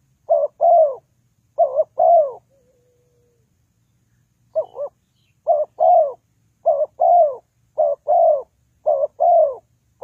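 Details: Spotted dove used as a trapping lure, cooing in paired phrases, each a quick doubled note then a drawn-out descending coo, with a brief pause before the series resumes steadily.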